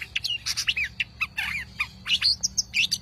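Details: Long-tailed shrike giving a quick, varied chattering song of scratchy notes mixed with short rising and falling whistles, tumbling on without pause over a quiet low hum.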